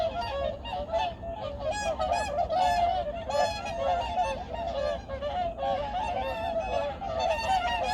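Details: A large flock of migratory birds at Junam Reservoir, Changwon, South Korea, in 2019 at early morning, honking loudly and continuously with many overlapping nasal calls, rising and falling in waves.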